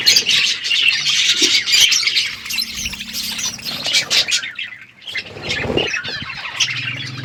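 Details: Budgies chattering in the morning: dense, fast squawky warbling by several birds, briefly dipping near five seconds before resuming, with a faint low hum at times.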